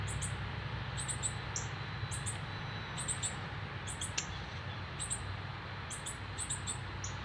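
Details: Northern cardinal chick fed by an adult male on its first day out of the nest, Canada, September 12, 2020: repeated clusters of two or three high, thin chips, with an occasional lower slurred note and a low rumble behind.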